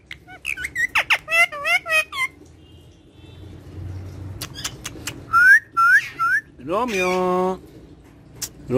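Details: A pet talking parrot, described as cute and friendly, gives voice-like harmonic syllables, then clear rising whistles and a drawn-out buzzy, stacked call, with a short sharp note at the end. A person is heard calling just before.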